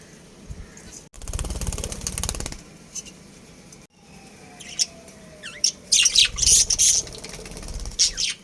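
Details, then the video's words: Breeding pair of pet budgerigars chirping: after a stretch of broadband rustling noise, a burst of rapid, bright, high chirps and short warbled notes clusters in the last few seconds. "Budgies Chirping Sounds"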